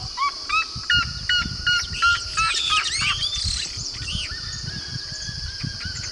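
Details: Yellow-rumped Marshbird singing a loud, melodious whistle: short repeated whistled notes at first, then a rush of overlapping slurred and rising whistles, fading to scattered notes over a constant high insect-like drone.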